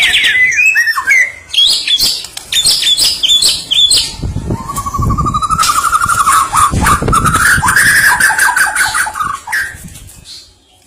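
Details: White-rumped shama from Medan in loud, active song: quick varied chirps and whistled bursts at first, then a long rising series of tonal notes, partly masked by loud broadband noise resembling a passing vehicle.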